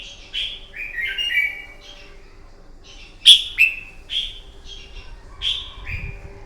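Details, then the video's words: Red-whiskered bulbul singing its fighting song in the morning for bird training: quick sequence of bright whistled notes, some sliding downward, with two sharp loud accents in the middle and faint hum behind. "Kích chào mào bổi hót đấu, luyện giọng chào mào hót đấu buổi sáng kích chim hót đấu căng lửa"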